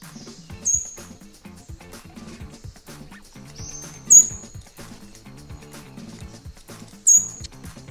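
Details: Yellowish Flycatcher call in Costa Rica, a year-round resident of middle elevations and highlands: three thin, very high, rising whistles, one about every three seconds, over soft background music.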